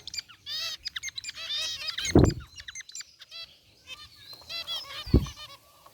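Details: Group of zebra finches, white and gray, chirping in their aviary cage: quick rising nasal chirps and buzzy rattles in bursts, broken by two loud low thuds.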